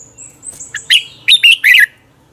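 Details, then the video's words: Morning song of a red-whiskered bulbul in fighting style, used as a lure for training birds: thin high notes lead into three strong, bubbly whistled notes sliding up and down. "Luyện chào mào hót sáng Giọng chuẩn hay Để ép bổi căng hót, chào mào hót đấu"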